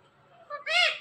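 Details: Parrot voicing a two-part word resembling 'Kim': a short mid-pitched lead-in, then a strong, bright, slightly rising and falling vowel. The background is quiet.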